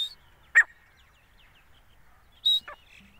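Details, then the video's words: Grey francolin female giving loud calls, a harsh rasping burst, then about two seconds later a sharp high whistle followed by a brief lower grating note, with silence between. "teeter awaz | piyari awaz | desi teeter ki boli | gora teeter"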